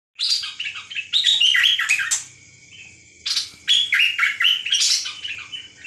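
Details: A bird sings loud, harsh, scratchy phrases mixed with brief high whistles, in two bursts separated by a short pause.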